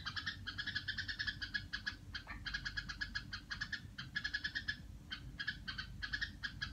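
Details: Pet red-whiskered bulbul giving its "rò" sound, a run of rough, rattling nasal notes delivered rapidly in long clusters separated by short pauses, with faint low background hum.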